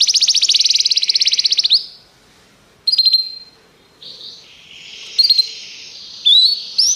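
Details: Canary song meant for training canaries: a rapid buzzy trill of high notes for nearly two seconds, a pause, then short chirps and a few rising whistled notes after a quieter stretch.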